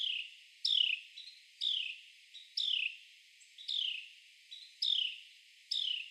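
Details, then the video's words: Male Carolina wren clinging to and crawling on a tree trunk while catching insects, giving loud, sharp chirps that each drop steeply in pitch, repeated about once a second, with fainter high notes between them. "Carolina Wren bird call loud sounds & eating insect"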